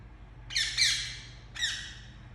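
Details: Two joined, rasping squawks from a pet Indian ringneck parakeet, then a single falling screech after a short pause, with light hum in the room.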